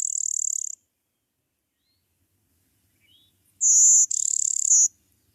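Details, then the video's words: Blue-winged Warbler, a fairly early spring passage migrant, not very common, passing through in late April and early May: the tail of one buzz, a pause, then a high, thin two-part buzz, smooth then coarser and pulsed. "and so blue winged is another um fairly early uh passage migrant through our area"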